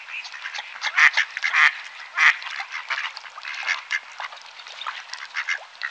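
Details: Mallard calls: a dense, overlapping chorus of harsh nasal quacks with several louder quacks standing out near the start and middle, suggesting many ducks calling together.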